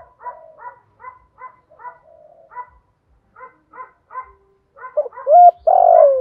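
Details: Spotted dove cooing as a decoy call for training new birds. Soft, short cooing notes repeat in quick succession, then a loud, deep, drawn-out coo phrase ends the stretch.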